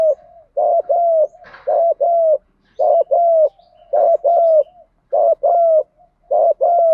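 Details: Spotted dove, male and female, giving the fighting coo used to stimulate newly caught doves: low, mellow paired coos in short phrases, each a slightly bent double note, repeated about once a second, with a faint brief chirp in between.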